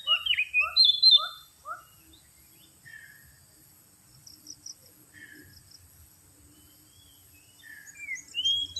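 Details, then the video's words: Oriental magpie-robin lure song: a burst of bright, sweeping whistles near the start, then four short falling notes repeated about every half second, followed by scattered thin chirps and a faint high steady hiss. "suara pikat burung kacer paling AMPUH terbaru"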